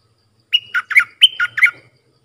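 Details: Red-whiskered bulbul song meant for teaching young birds and attracting wild birds, sung in sap dok, boen and rik styles: one short, lively burst of six liquid chirping notes jumping between pitches, with a soft low background hum.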